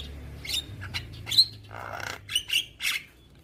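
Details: Javan myna singing for young birds to copy each morning: scattered squeaky chirps and a sharp whistle, a short grating rasp, then three loud squeaky calls.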